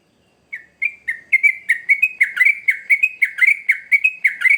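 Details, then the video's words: After half a second of silence, a sooty-headed bulbul bursts into lively song used to lure young birds: steady series of crisp, slurred whistled notes, roughly one phrase per second, growing louder, with a quiet background. "Trucukan Gacor ngamuk Pancingan Terbaik Untuk Burung Paud"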